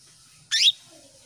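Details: Hen canary calling to a male to make him sing: a single quick, high chirp sweeping down, heard over a steady background hiss.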